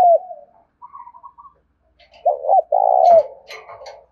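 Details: Spotted dove kept as a tame decoy in the Vietnamese countryside of Đồng Nai, calling loudly to attract wild birds: faint murmurs, then a double hoot and a long mellow coo, followed by soft rustling.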